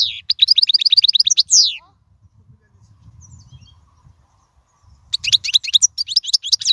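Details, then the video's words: European goldfinch singing a royal-style song meant for teaching young birds: quick run of repeated high twitters ending in a buzzy slur, then a pause with faint low background rumble before the twittering resumes. "أفضل تغريد الحسون"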